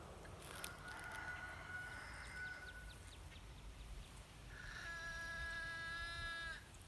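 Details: Green heron thought to be nesting in a tree, giving alarm calls at a person's approach. A long, even nasal whine is followed after a pause by a louder, richly layered drawn-out squeal, with steady background hiss.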